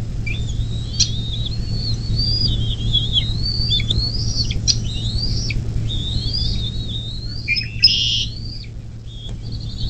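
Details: Morning at a bald eagle nest near South Lebanon, Ohio, USA, May 2024: long run of piping, high whistled notes about three per second, a scratchy burst near the end, occasional clicks, and a constant low hum.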